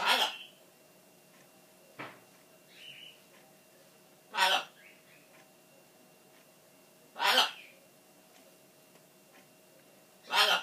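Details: Caged-room pet macaw protesting as it thinks its owner is leaving. Four short, sharp, loud shrieks spaced two to three seconds apart, with faint soft chirrups and clicks between them in a quiet room.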